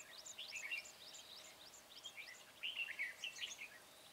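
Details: Decoy red-whiskered bulbul used to lure wild bulbuls into a trap, 13 March 2020: a rush of thin, high, repeated chirps, then a louder liquid, warbling phrase near the end, over steady faint background noise.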